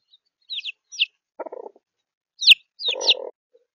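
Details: Chicks of three weeks and three days old sharing warmth in Australia, the older ones abandoned by their mother. A few separate high downslurred peeps with lower murmuring clucks between them and one sharp click.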